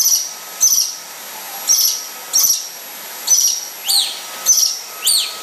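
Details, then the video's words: A pet yellow-breasted lorikeet fighting a vacuum cleaner gives a shrill, harsh screech about every second, each a quick high rasp, over the steady whine of the vacuum. "Vacuum vs yellow brested lorikeet"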